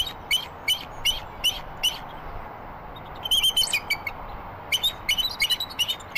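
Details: Bald eagles calling to each other during a nest changeover at a live webcam nest in Redding, March 11, 2023: bursts of sharp, high chirped notes, first spaced singly, then quick stuttering clusters of chattering piping.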